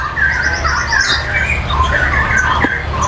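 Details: Ekor lembu lovebird, a tame, trained competition bird, singing at a bird contest; a rapid run of harsh, squeaky chatter and shrill chirps, steady and unbroken, over a constant low hum and murmur of other birds.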